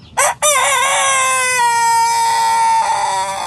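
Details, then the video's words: Young Sanjak cockerel beginning to crow: two short, rough opening bursts followed by one long, loud harmonic note that slowly sinks in pitch and holds for nearly three seconds, over a faint low background hum. "Sanjak Cockerel starting to crow"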